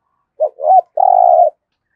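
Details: 'Giọng thổ' voice of a decoy spotted dove: two short, rising, hooked notes, then a long, level, deep coo held for about half a second, in a silent setting.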